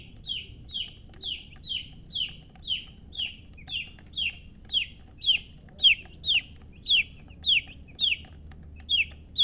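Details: Hen's chicks chirping: one chick gives loud, evenly spaced down-slurred peeps, about two each second, steady and insistent, with very little background noise.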